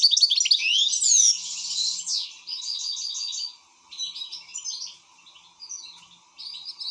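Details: Excited European goldfinch starts with loud rising and falling whistled slurs, then a run of rhythmic chirping notes and scattered twitters, pausing briefly between phrases over a faint hum.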